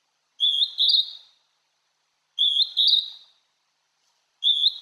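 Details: Wild Hodgson's hawk-cuckoo, heard but barely seen, singing at Tomin-no-Mori in Tokyo: strong shrill double whistles with an upward step, repeated every two seconds in clean silence.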